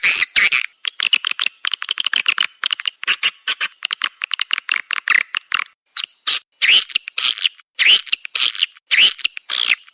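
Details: Edible-nest swiftlet lure call for swiftlet houses: quick series of sharp, high chirping pulses in rapid rattling runs, broken by brief pauses, then louder, more separated twittering notes in the second half.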